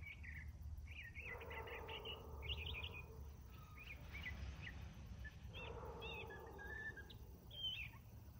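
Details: A male northern mockingbird sings in the morning, delivering bursts of scratchy chattering phrases separated by short pauses, with a droning low rumble in the background.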